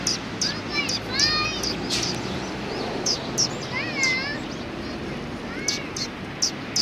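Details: Sparrows recorded on 10 March 2019, giving a busy run of bright chirps and short wavering, whistled notes, some rising and falling in pitch, mixed with sharp clicks and a low background hum.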